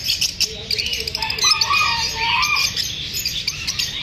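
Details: Caged lovebirds chirping after feeling unsafe while being filmed: a busy overlapping stream of short, high, sharp tweets and squeaks, with a few lower rising and falling whistled notes midway, from several birds calling at once.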